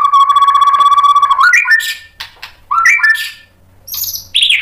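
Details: White-rumped shama singing to incite other shamas: a long steady whistled tone with a trill-like texture, then short rising slurred whistles, harsh bursts, and a high sharp note near the close.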